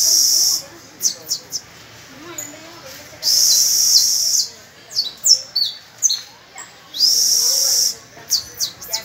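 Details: Adult canary with young pupil birds practising on the first of May: alternating long, loud, high rolling trills and bursts of quick clipped chirps, repeated several times.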